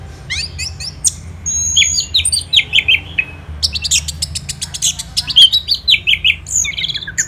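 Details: Orange-headed thrush, Kubutambahan, Singaraja, Bali, singing at morning time: jumbled chips and descending slurs, a brief lull, then a dense burst of sharp repeated clicks and whistles mixed with squeaky, mimic-like phrases.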